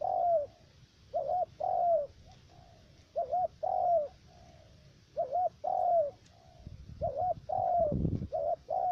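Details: Spotted dove decoy calling at a trap in U Minh, Cà Mau: repeated paired coos, a quavering note then a long falling one, about every second, with a low thump and rustling near the end.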